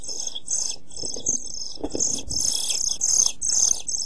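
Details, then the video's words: Pied flycatcher chicks 11-12 days old in a nest box, close to fledging, recorded by a nest-box camera on 29 June 2013; dense overlapping high thin begging calls from several nestlings, with rustling and scraping in the box. "Kirjosiepon poikaset 11-12 päivää / Pied flycatcher's chicks 11-12 days"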